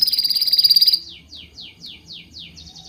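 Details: A bird chirps: a quick high trill, then a series of six downward-slurred notes about every quarter second, ending in a brief pulsed phrase.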